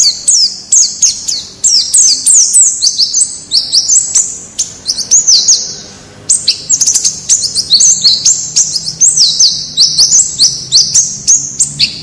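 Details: Wild white-eye song used to train captive birds to sing: a long, lively stream of high, twittering, whistled notes, broken by one short pause midway, then continuing just as rapidly.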